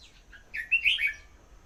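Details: Song of a red-whiskered bulbul, a faint lead-in note then a lively burst of liquid whistled notes, rising and tumbling down within under a second.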